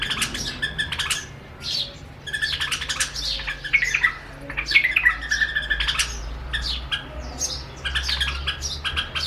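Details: Duet of a White-eared Bulbul pair from Rajasthan at a window-sill mirror, singing against their own reflection; loud bursts of rich, chattering and slurred notes separated by short pauses, faint low hum in the background.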